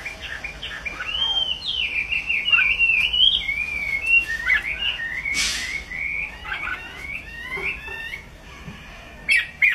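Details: Chinese hwamei singing a long, varied run of loud whistled phrases, sliding up and down and rippling quickly, with brief pauses and a few sharp clicks near the end.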